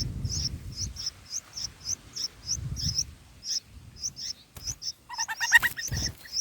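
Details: Bulbul nestlings in the nest being fed by a parent, day four: rapid, high, thin chirps repeated several times per second, with low rumbling handling noise and a louder, harsher, layered call near the end.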